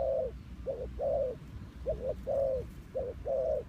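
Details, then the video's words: Trapping decoy spotted dove delivering rapid, closely spaced coo phrases, short upturned notes alternating with longer warbling falling coos, fairly loud over low background rumble. "The Sound Of Spotted Dove is so good"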